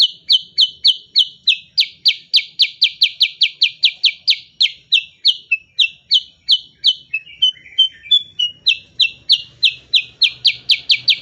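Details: Fast 'nembak' shooting song of cucak kurincang, kin of the kutilang bulbul, meant as training audio for other songbirds: rapid, loud, high downslurred notes repeated over three per second, briefly breaking into softer short twitters before resuming.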